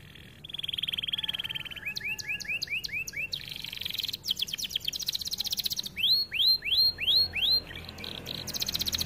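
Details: A canary sings fast, bright phrases, a sustained high trill then rapid repeated rising slurred notes and sweeping whistles, about three per second; canary song used as a training/master track to stimulate singing and breeding readiness. Canary.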